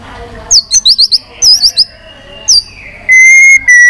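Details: White-rumped shama singing its long-voiced fighting song: quick rising whistled trills in clusters, a downward slurred note, then a long, steady, pure whistle held for about half a second, repeated.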